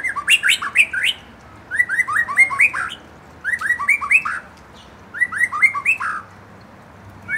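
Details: Provoked young white-rumped shama delivering short bursts of rich, rapidly slurred whistles, each burst about a second long with pauses of roughly a second between them.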